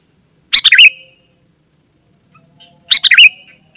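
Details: Two bright, bubbly, tumbling phrases about two and a half seconds apart from a sooty-headed bulbul, meant for calling wild bulbuls and tutoring house birds, over a faint steady high whine.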